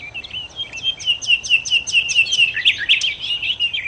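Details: Nightingale, known locally as sikatan londo, singing a lively run of short high whistled notes repeated rapidly, several per second, rising to a burst of sharper, more varied chirps near the end.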